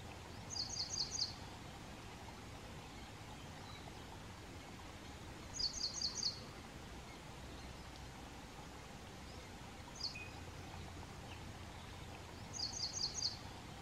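Ashy prinia giving short bursts of four or five quick, high, thin notes, repeated every six seconds or so, over steady wind or rushing-water noise.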